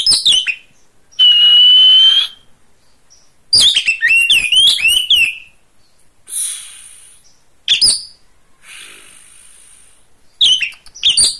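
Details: Oriental magpie-robin singing actively, recorded as master song material for training other birds: loud bursts of varied high notes, a long steady whistle, rapid looping warbled phrases and sharp downslurred notes, separated by brief pauses over faint hiss.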